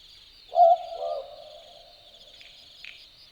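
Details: A single two-note 'boo-book' call from an Australian Boobook (Ninox boobook) at night in Dharug bushland, Australia. A short hollow hoot drops into a second, softer note. A faint insect trill continues above it.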